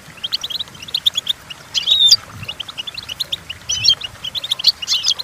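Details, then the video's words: Goldfinch song played to teach goldfinches to sing: lively chattering twitter with a drawn-out buzzy whistled phrase early on and another tinkling burst later, against a faint low hum. "The Entrancing Song of Goldfinches Birds"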